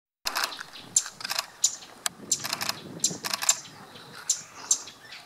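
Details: A pale-billed flowerpecker in Sri Lanka gives sharp, dry, high ticking clicks in quick irregular bursts, several per second, over a faint quiet background.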